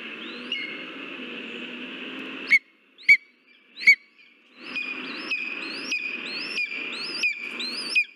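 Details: Lesser spotted eagle calling at the nest as a mouse arrives, Latvia, 13 August 2023. Three sharp whistled yelps, then a run of rising, squealing notes about every 0.7 seconds against steady hiss.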